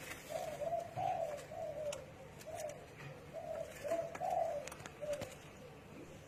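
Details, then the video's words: A spotted dove repeats its low, burry coo in a steady series of rounded notes, phrase after phrase, with faint ticking sounds and light chirps behind. "Spotted Dove Cooing"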